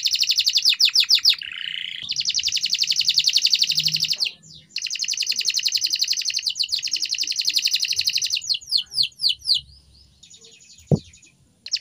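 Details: Canary singing a training song: extended rapid high trills with a lower warbled phrase, a short gap, then slower swept notes and a faint click near the end.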